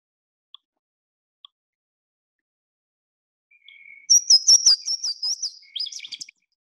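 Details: Louisiana Waterthrush, a bird of water's edges and mudflats: a few clear slurred introductory whistles, then a bubbly, rapid jumble of high notes that tumbles downward at the end, like falling off a waterfall.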